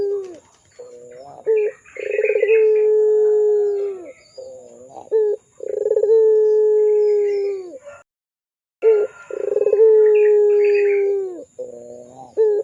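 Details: Barbary dove of the pelung type, a lively calling bird used as a lure for young doves: short stuttered notes lead into long, steady, low drawn-out coos that bend down at the end, repeated several times, with faint chirps from other birds.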